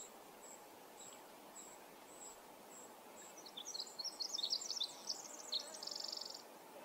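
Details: Male Pacific wren singing in a forest at Manning Park, July 2020: a long, very high, jumbled cascade of quick tinkling notes, closing in a dry, buzzy trill, over steady faint high ticking from the background.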